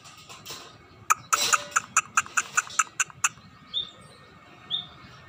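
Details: Scaly-breasted munia starting to sing energetically: a quick run of about ten sharp, dry ticking notes, followed by two thin, high whistled notes over low background hiss.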